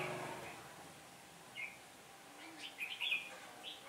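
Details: Red-whiskered bulbul decoy singing to lure wild birds into a trap on a day of changing wind, 15 October 2017. Short warbled phrases come at intervals over faint background hiss.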